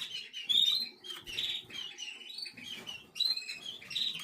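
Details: Eleven-day-old canary, black red mosaic jaspe SD. Continuous high twittering is punctuated by brief piercing whistled squeaks, several in quick succession, over light rustling.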